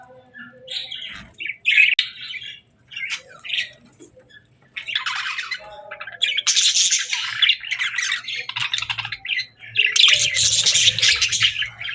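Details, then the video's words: At feeding time, budgerigars give scattered short chirps and then long bursts of harsh, scratchy squawking chatter, separated by brief quiet gaps, with a faint low hum underneath. "Bird Chirping Sounds to Attract Birds | Budgie Birds Feeding Time"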